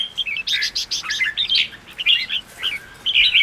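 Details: Red-whiskered bulbul song for rousing a weak-spirited bird: a dense run of chirpy, warbling notes followed by scattered short whistled phrases over a faint background hiss.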